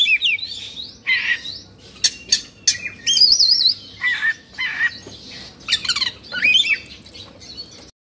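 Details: Oriental magpie-robin singing while agitated, tail fluffed and spread: scattered whistled phrases, sharp clicks and wavering high notes separated by short pauses.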